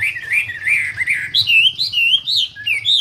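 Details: Short burst of lively Wambi song: warbled whistles climbing from a lower pitch to higher, clearer slurred notes, with a soft low background hum.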